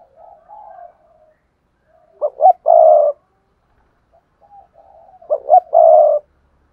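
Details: Lure spotted dove cooing to trigger other doves: gentle quiet crooning notes leading into two loud three-note coos, two brief notes then a longer rough coo, spaced about three seconds apart.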